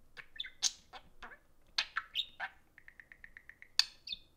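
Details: Two caged budgies interacting: scratchy chirps and warbles, followed by a steady row of about ten quick, evenly spaced ticking notes, then more squeaks.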